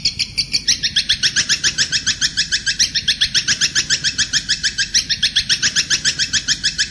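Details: A kuntilanak bird, in master training audio for cendet, murai batu and kacer, gives a fast, steady chatter of high, bright notes at three or four a second over a faint low hum.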